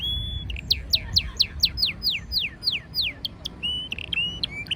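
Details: A canary sings under blooming wisteria in Nara Park, Japan: a short whistle, then a series of about eleven clear descending whistled sweeps at a steady pace, closing with short flat whistles.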